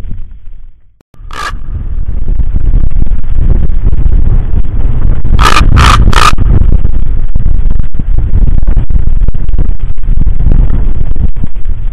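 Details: Loud, steady scraping and rumbling noise fills the recording, broken by a few sharp clicks, with no clear animal call.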